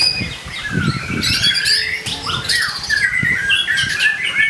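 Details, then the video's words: White-rumped shama in full continuous song, used as a lure to provoke other shamas into singing: dense, varied whistles and chattering phrases with rising and falling notes, over faint low rumbling background noise. "TERAPI PANCINGAN MURAI BATU GACOR AMPUH BUAT PANCINGAN MURAI CE;PAT BUNYI"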